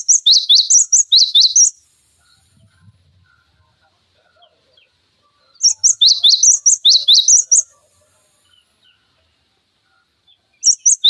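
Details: Cinereous tit singing for use as a training tutor for other songbirds: bursts of rapid, piercing high chirps in two-pitch sequences, spaced several seconds apart, with a few soft low background sounds between.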